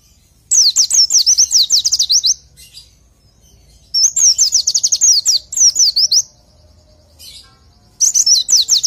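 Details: Tutor recording of oriental white-eye (pleci) song: three busy phrases of rapid, high, thin, downward-sweeping chirps, each lasting about two seconds, separated by short quiet gaps with faint soft notes.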